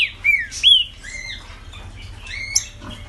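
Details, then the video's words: Green-winged saltator, a caged Brazilian tournament bird of the ligeirinho song style, gives two bright descending whistles in quick succession, then softer broken notes trailing away. "Trinca Ferro Ligeirinho"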